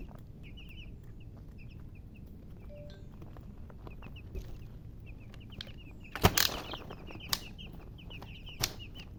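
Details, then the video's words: Chicks give scattered high, short peeps over a low rumbling background, with a loud knock and clatter partway through and a few further taps. "MURGI Baby "Chicks Chirping" Sound"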